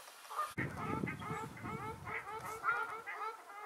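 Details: Ruddy shelducks, observed in March 2022 from a hide near Hergershausen and at a restored stream site in Bickenbach, give a rapid run of nasal, goose-like honks, about three per second, after a sharp knock.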